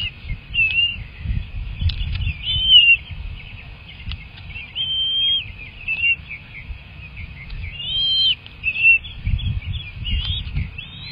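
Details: Young bald eagles in a nest at feeding time, giving scattered short high chirping whistles, some slurred upward, quiet and broken up, with low rumbling noise swelling at times.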